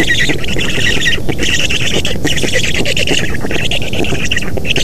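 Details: Black stork nest in Estonia, 3 June 2017, at a feeding visit. A continuous grating, squawking chorus with short breaks sits over a heavy low wind roar.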